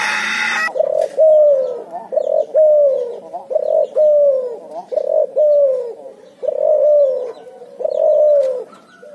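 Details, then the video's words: A Barbary dove and spotted dove hybrid, the cuhu, calling persistently in ngoar nguku style: a steady series of low, hollow coos, each about a second long, paired in a rhythmic run after a brief burst of noise. "suara burung cuhu gacor ngoar nguku hasil silang puterxtekukur"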